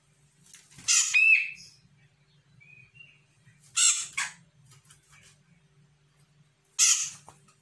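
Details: Sumatran grey-cheeked bulbul, an untrained young bird, replying to a lure recording: three loud, harsh, buzzy bursts about three seconds apart. One burst carries a short whistled note, with faint soft whistles between the bursts.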